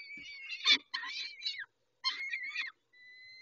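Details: Peregrine falcons at Dobra during a feeding at 11:48, dated 19-05-21. A few short, rough, screechy notes come in two bursts, ending in a faint, steady whistled tone.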